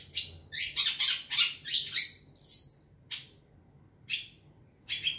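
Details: Young wild long-tailed shrike heard in a rapid string of harsh squawks and one whistled downslur, then isolated rasping notes about one second apart; used as a lure.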